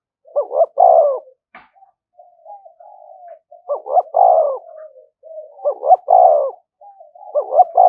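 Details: Decoy spotted dove cooing continuously to draw rivals into a fight: deep phrases of two short rising notes and a long descending coo, roughly every one and a half seconds, linked by softer low murmurs.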